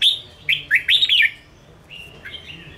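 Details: Red-whiskered bulbul, Ché style, caged, sings to rouse wild-caught birds during training: one rapid phrase of four or five bright slurred whistles, then softer faint notes trailing off.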